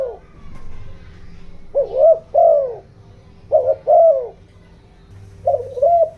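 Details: Spotted dove decoy voice meant to provoke wild doves, in the 'giọng đồng' style. Three soft coo phrases of two or three hoarse notes each, separated by gaps of over a second, with a low constant hum beneath.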